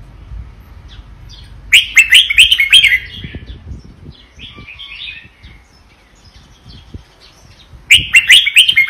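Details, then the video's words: Red-whiskered bulbul singing rich, bubbling whistled phrases in two loud bursts a few seconds apart, with softer warbling between; otherwise quiet. "นกกรงหัวจุกเวียดนาม ร้องเบิ้ล!! ร้องมัน"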